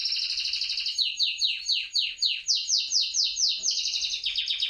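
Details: Courting canary singing to a female: a steady trill gives way to slower, strongly descending swooping notes, then speeds into another rapid rolling trill, all high-pitched and clear.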